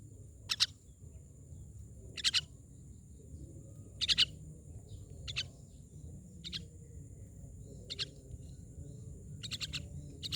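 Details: Myna calling with short scratchy bursts, some doubled or tripled, repeated irregularly roughly every one to two seconds over a constant low rumble.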